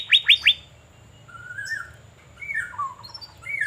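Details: Asian fairy-bluebird out in the sun in Banjarmasin: three loud, steeply falling notes in quick succession, then softer wavering whistles that slide downward.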